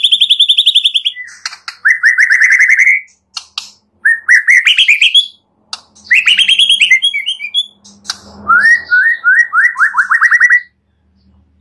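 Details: White-rumped shama (murai batu) training song full of mimicked phrases, used to prompt other birds to sing: fast trills and long runs of rapidly repeated rising whistled notes, broken by short pauses.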